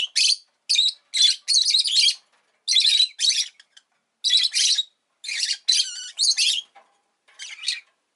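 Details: A pet rosy-faced lovebird chatters almost continuously in loud, grating chirps and rapid squeaky phrases, with one wavering rising note partway through and brief pauses between runs.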